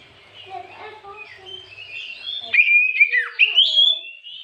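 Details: Oriental magpie-robin singing in the afternoon as a lure to provoke other birds: soft mixed chatter that breaks into clear, loud whistled phrases, some sliding down then jumping up.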